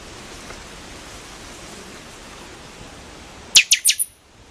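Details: After several seconds of faint hiss, a pixoxó (buffy-fronted seedeater) delivers a single quick cluster of three or four sharp, descending cracking notes.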